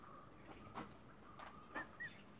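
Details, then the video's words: Newly hatched emu chick, zero days old: two short, high, arched whistling peeps near the end, over a steady background hum and faint rustling. "emu chick"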